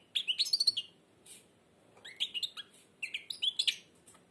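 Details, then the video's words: Blind European goldfinch singing with its beak almost closed: three bursts of high, rapid twittering and tinkling notes separated by short pauses. "تغريد_الحسون أعمى سبحان الله يغرد ومنقاره شبه مغلوق chardonneret"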